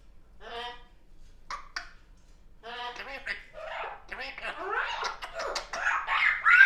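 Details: Pet baby African grey parrot talking indoors on a chatty afternoon: short word-like bursts with stacked harmonics, quickening into a dense, rising stream of chatter; a yellow-naped Amazon parrot is kept in the same home.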